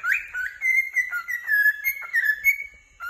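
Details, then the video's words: A happy cockatiel produces a wavering whistled phrase, notes stepping up and down around a steady middle pitch, almost continuous for three seconds. "a happy cocketeil chirping"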